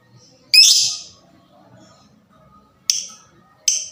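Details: Fighter lovebird calling to stimulate other lovebirds: one loud, harsh, buzzy screech, then two shorter clipped shrieks near the end.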